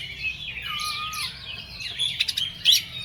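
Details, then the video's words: Oriental magpie-robin in agitated song: a softer, blurred stretch of slurred whistles including one long falling note, followed by a few sharp, piercing chips toward the end. "KACER EMOSI KONSLET"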